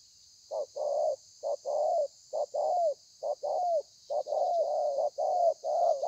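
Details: Spotted dove kept as a caged bird, thổ pha cooing style, recorded 30/11/2020: rapid run of paired mellow hoots, short note then longer falling coo, repeated about once per second, with a steady high hiss.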